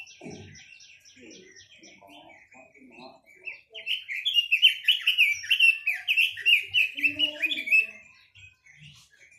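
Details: Chinese hwamei starting with a soft series of thin, repeated high notes and low chatter, then breaking into a loud, rapid cascade of ringing whistled phrases that fades back to quiet.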